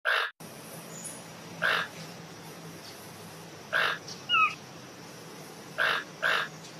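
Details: A Collared aracari toucan gives harsh, rasping croaks about every two seconds, some in quick pairs, with a brief thin whistle and a steady low hum behind.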